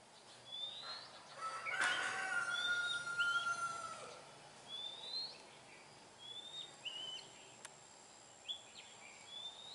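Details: Wild Oriental magpie-robin singing a series of short, high, sliding whistles, after a loud rushing burst of noise and a long level tone in the first seconds.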